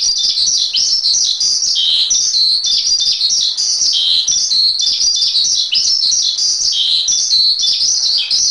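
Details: Javan pied starling on a masteran tutoring track: lively, high chattering song of clipped chirps mixed with falling whistled notes, continuous and evenly loud throughout.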